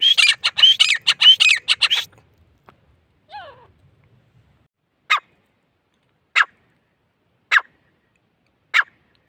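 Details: Two seconds of fast, harsh grey francolin call phrases with whistled slurs, then a soft descending note and several sharp isolated clicks spaced about a second apart.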